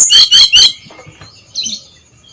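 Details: Brown-chested jungle flycatcher singing loud, clear 'ngeplong' style at dawn, used as a lure for others of its kind: three bright, rapid high chirped notes, then a faint short note after a pause in a quiet setting.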